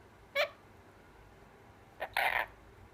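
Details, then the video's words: A female pet Mitred conure gives a short raspy note, then a harsh two-part burst of mimicked speech, "pretty bird", in a quiet room. She rarely talks but reliably says this phrase. "Talking Conure: Definitely A Pretty Bird"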